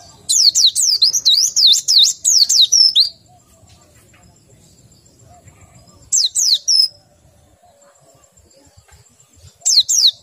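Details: White-eye low in breeding condition sings a three-second string of rapid, high, zigzagging whistled notes, then falls silent, followed by two short bursts later.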